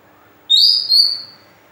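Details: Short Oriental magpie-robin phrase used as a lure for other birds: one sharp high whistle swelling into a sustained, slightly wavering note that fades out.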